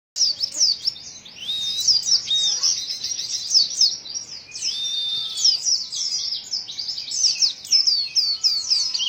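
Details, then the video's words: White-eye giving an unusual, strange-sounding song: a fast, continuous jumble of high twittering notes and short sweeping whistles, dense chattering with brief downslurred whistles around two seconds in, no other clear sounds. "Pleci suara aneh"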